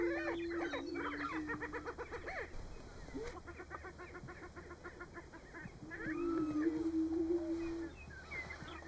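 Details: Greater prairie-chicken lek in Nebraska during March: a low hollow boom opens, then rapid stuttering cackles pour out in fast runs, and another long steady boom rises near the end.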